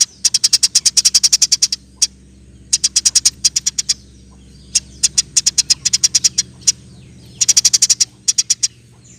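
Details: Rapid rolling chirps of a Eurasian tree sparrow, recorded as master song for other songbirds; high, clipped notes delivered in quick trains of varying length with gaps, faint low hum beneath.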